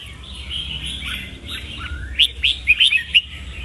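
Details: Red-whiskered bulbul with soft gliding warbles followed by a quick series of six bright, sharp whistled notes.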